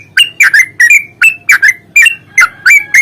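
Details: Aggressive yellow-vented bulbul song, played as a lure to prompt silent birds to sing. A dense sequence of loud, sharp chirps with quick downslurs and flat endings comes several times a second.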